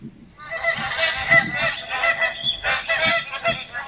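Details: In the Northern Territory, magpie geese start calling after a brief quiet moment: a thick chorus of nasal honks, some louder ringing notes standing out, with low background rumble.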